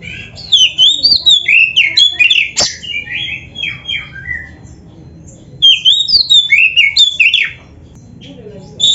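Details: Oriental magpie-robin (kacer) master song in 'isian' style: jumbled, varied whistles and squeaky notes in two lively bursts, separated by a quieter stretch and a single sharp crack.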